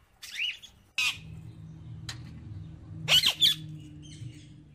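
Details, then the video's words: Parrot eating seeds makes short harsh squawks, then a loud double squawk, over a steady low hum. "jungali parrot Dana khate hue"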